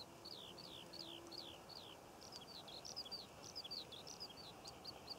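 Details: June skylark song over Cornish poppy fields: a run of repeated falling slurred notes giving way to quicker, jumbled chirps and twitters, over a quiet steady background hiss.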